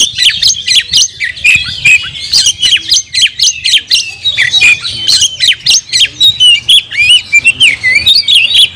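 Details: Kacer, a caged oriental magpie-robin, delivering fast 'nagen' song: rapid, clipped squawky notes mixed with bent whistles, many short elements per second, loud and continuous.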